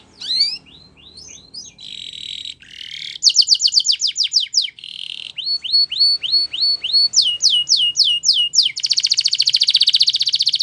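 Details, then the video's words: Belgian canary singing a training song for young canaries, varied tours of rising notes, buzzy rolls, fast steep descending sweeps and hooked whistles, closing on a sustained rapid trill. "Belgian Canary Singing !! Canary Training Song"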